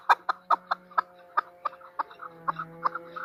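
A female chukar partridge gives short, clucking notes about two to three per second, fairly steady but uneven in spacing, with a faint low hum behind.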